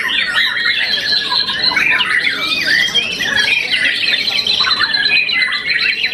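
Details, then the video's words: Young contest-champion white-rumped shama, after one moult, singing a steady stream of high, varied whistled phrases and quick scratchy trills. "tambah umur pasti lebih enak || murai batu muda mabung satu kali"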